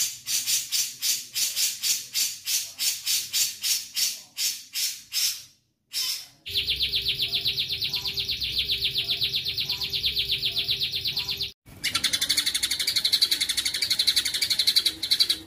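White-rumped shama song: a bright, high note repeated about four times a second, then long, dense, buzzy rattling trills in abrupt bursts.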